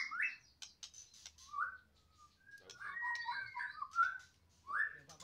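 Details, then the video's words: Medan-type white-rumped shama singing: scattered clear whistled phrases, some rising and slurred, separated by pauses and soft clicks, heard fairly faintly. "mb medan gacoran volume kencang"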